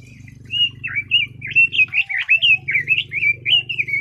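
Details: Red-billed leiothrix singing a rapid warbled phrase of short, powerful, up-and-down whistled notes, run together in a continuous stream over a low steady hum.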